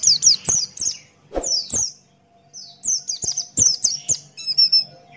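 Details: Buxton's white-eye in lively song, rapid high downslurred whistles in clustered bursts separated by short pauses, closing with a thin buzzy trill.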